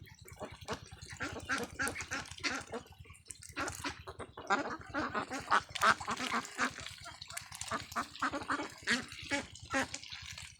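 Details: Ducklings jumping in a farm field: many overlapping raspy quacks in irregular bursts, occasional brief pauses, a low rumbling hum throughout.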